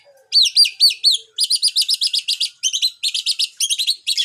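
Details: Long-tailed shrike song aimed at rival shrikes: a fast, steady run of shrill chattering notes, each a brief rising-falling chip, tumbling out almost without pause after a short opening of slower, louder calls.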